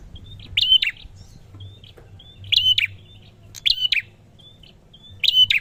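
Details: Prinia song of sharp, high, chattering bursts separated by thin whistled notes, four phrases spaced roughly every one to one and a half seconds over a soft low rumble.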